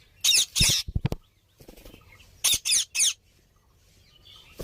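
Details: Green parrot giving harsh, broadband squawks in two clusters of three bursts, with a few short low clicks between them and quiet pauses.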